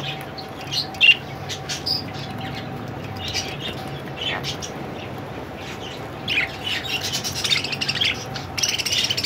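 Budgerigars chatter with quick, scratchy chirps and warbles over a steady low hum.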